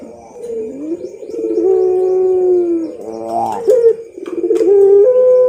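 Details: Barbary dove giving pelung-style song as a training model: a rising coo swelling into a long sustained tone, a quick fluttering break, then steady, level coos to the end.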